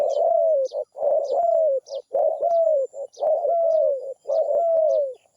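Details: A zebra dove sings in regular, rhythmic groups. Each group is a long, rolling coo that slides down, then a short clipped note. The groups repeat roughly once a second, with faint high twitters from other birds behind.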